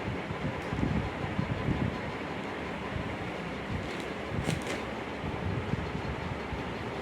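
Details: Low wind rumble and buffeting against the microphone carry through the recording, with no animal sounds heard.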